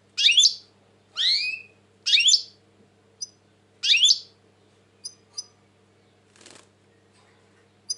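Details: European goldfinch, said to be very tense in 2020, giving four quick buzzy twittering phrases in succession, then falling quiet apart from scattered high ticks and a brief soft rustle.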